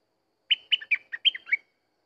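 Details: Decoy recording of a Sooty-headed bulbul song: a rapid run of six clear, chirpy notes alternating between higher and lower tones, about one second long, with no other sounds around it.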